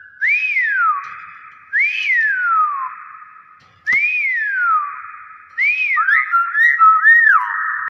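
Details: Thai common hill myna, subspecies intermedia, repeating a loud whistle that swoops up then glides down, about every 1.7 seconds, ending in a quicker run of three whistled swoops.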